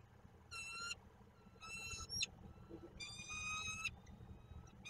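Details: Peregrine falcon calling at its nest in Koszalin on 15 March 2022: drawn-out, harsh, nasal wailing notes about half a second long, with a few short chips between them, over a constant low background hum.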